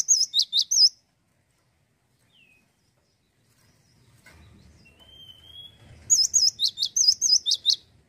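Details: Male Cinereous tit giving two bursts of rapid, high, wavy whistled notes, each about a second long and separated by several seconds of near silence with a faint thin whistle.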